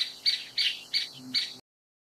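A Grey-capped Pygmy Woodpecker gives four harsh, squeaky high notes at an even pace, about three per second, with nothing else audible.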